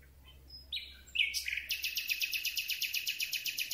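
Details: Common Nightingale singing close-up at night: a few scattered notes, then a rising slur leading into a long, rapid, even trill of about four identical sharp notes per second.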